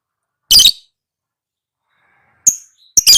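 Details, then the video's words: Lovebird sounds used as a training recording for cage birds to copy. Three harsh, shrill, noisy chirps: a burst near the start, another about two seconds later, then a rapid double burst, with silence between them. "Suara Burung LoveBird~for~ Masteran(biar gacor)"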